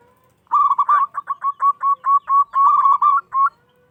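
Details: Local zebra dove in full song with a big, loud voice, meant to provoke rival doves into answering: a rapid, even series of about a dozen short, mellow cooing notes, steady in pitch, lasting three seconds.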